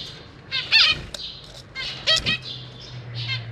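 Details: Zebra finch family in a large cage, adults feeding fledglings: a few loud nasal chirps with a downward-curving note, a sharp click, then quieter calling over a steady low hum.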